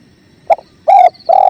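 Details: Spotted dove (tekukur), a training recording set to clear river sounds: a brief clipped note, then two strong, level, hoarse coos about half a second apart, over faint low rushing noise.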